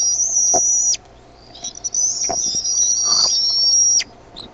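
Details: Bald eaglets at the Decorah nest in the evening of 13 May 2015 begging as their mother brings food; two long, steady, very high whistled squeals separated by a short gap, with light thumps.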